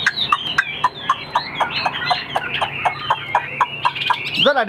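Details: Caged Chinese Hwamei, a sturdy singer that fans its plumage when fighting, fires rapid sharp notes about four per second over higher warbles, with a brief human voice at the end.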